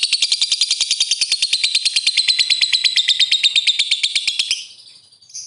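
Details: Lovebird doing a ngetik ngekek call to make opponents sing fast: a sustained, high, rattling chatter of evenly repeated notes for about four and a half seconds, then a sudden drop to faint sound and one short chirp.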